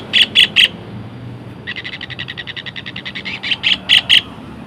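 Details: Long-tailed shrike, tengkek, in a therapy master recording: a long run of rapid, evenly spaced harsh notes is bracketed by three loud, sharp chattering bursts at the start and again near the end.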